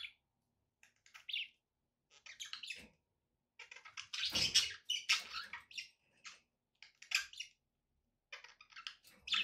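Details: Scattered short chirps and squeaks from pet budgies with frequent silences, plus one louder burst of rough chatter midway.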